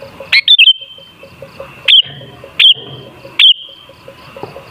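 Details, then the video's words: Sooty-headed bulbul song used as a lure to make other bulbuls sing eagerly: loud, short, liquid whistled phrases, each rising then dipping, repeated four times with echoing tails, over faint low background hum. "Suara Burung Kutilang Sangat Ampuh Untuk Pancingan Jadikan Kutilang Ngamuk Gacor"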